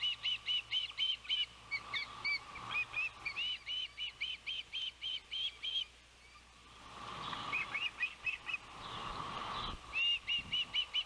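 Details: Savannah osprey nest during the oldest chick's first fledge on a windy June 12, 2021: rapid bursts of shrill, repeated whistled chirps, broken midway by a loud rush of wind, then resuming.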